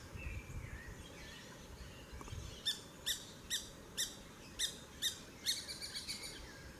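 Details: Grey-breasted parakeet (Pyrrhura griseipectus) at Guaramiranga during the 2018 census gives about seven harsh, grating screeches, roughly two per second, after a low rumble of wind or handling.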